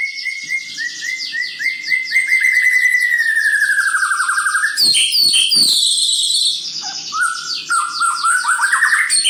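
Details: Aggressive male white-rumped shama in full, energetic song: long runs of rapid repeated whistled notes, a descending trilled series, then sharp bursts and rising, varied phrases, loud and continuous.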